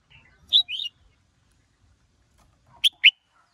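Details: Red-whiskered bulbuls, a female provoking a male's fiery song. A loud whistled note runs into a descending slur, then after a pause two sharp, abrupt whistles follow.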